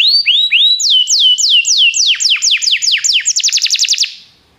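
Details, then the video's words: Belgian canary song meant to stimulate other canaries to sing: a few rising slurred notes, then a steady series of loud falling whistles speeding into a quick trill before fading. "canário especial para seduzir todos os canários - canário belga cantando"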